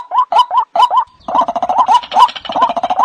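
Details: White-breasted waterhen lure call for daytime and night: a few gurgling croaks, a brief pause, then a dense overlapping chorus of rapid throaty notes.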